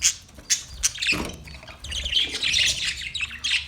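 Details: Budgies chirping: scattered sharp, high chirps and squawks, with short bursts and a brief louder grating call near the middle, separated by quieter gaps.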